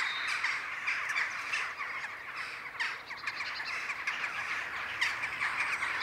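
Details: Jackdaws gathering for their daily evening ritual in the sky over Ringenberg, Germany: a dense, continuous chatter of short, sharp, overlapping calls from many birds, with no other clear sounds.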